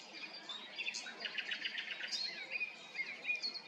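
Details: Nightingale at Arcais, France, delivering a quick series of pulsed, clicking notes, then thin whistled slurs. Faint background hiss throughout.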